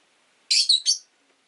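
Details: Caged rosy-faced lovebird by a window, one of five kept together, uttering a quick pair of shrill, buzzy high chirps, the first slightly longer and rough, the second sliding down, against near silence.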